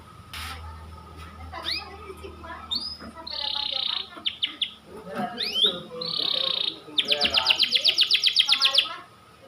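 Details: White panda canary song amid some background murmur: scattered sweeping whistles and buzzy rolls build to a long, fast, evenly pulsed high trill near the end.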